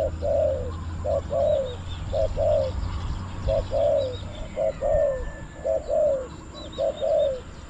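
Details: Decoy spotted dove calling down wild birds at Bang Li, Thailand, in two-part 'kuk' phrases. Soft hooting coos repeat roughly once a second in doubled notes, with quiet higher chirping from small birds and a low hum underneath.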